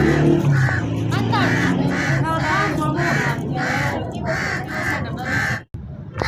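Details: Rapid run of rasping crow caws, closely spaced and roughly even, with low murmuring tones underneath; the sound cuts out abruptly near the end.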